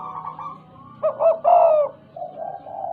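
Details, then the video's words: Tame spotted dove with a stuttering manner: soft, low cooing, then two quick coos and one long, rich, falling coo, fading into quieter notes. "Suara tekukur,, gagap jinak dan gaccor"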